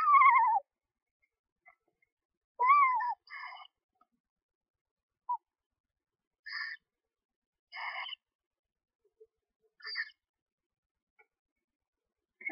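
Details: Screech owls at a nest box with 1–2-day-old owlets, where the male brings a rat: two mewing, downward-sliding whistles, then short raspy, hissing bursts a second or two apart.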